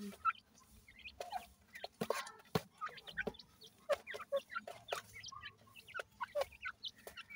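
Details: Newly hatched grey francolin chicks, locally called dakhni teetar, giving short, thin, rising peeps scattered through the clip, mixed with sharp clicks and knocks of handling or movement.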